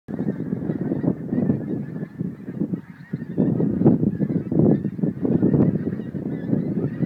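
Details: Geese at Montrose Basin leaving to feed on 12 January 2011: a dense chorus of many honking birds calling over one another, low nasal honks overlapping continuously with no gaps.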